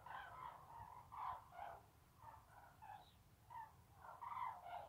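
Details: Cranes, seen as spring messengers, recorded 14 February 2019, give loud, rolling, trumpeting calls in overlapping bursts, several birds calling at once with harsh, bugling notes about every second.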